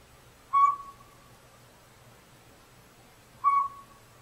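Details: Northern Pygmy-Owl, a tiny owl about robin size, calling from backyard woods where it seems to have moved into an old sapsucker nest in a hollow tree, upsetting squirrels; two short, clear whistled toots about three seconds apart over quiet background.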